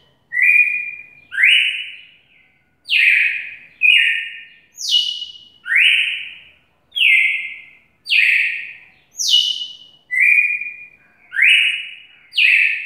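A red-cowled cardinal sings loud, clear whistled phrases, each a bright slurred note around a second long.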